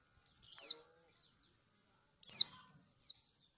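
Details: Female lemon-bellied white-eye (kecial kuning) of Lombok calling to the male: two loud, thin, downslurred high chips nearly two seconds apart, then a faint shorter chip, in an otherwise silent recording.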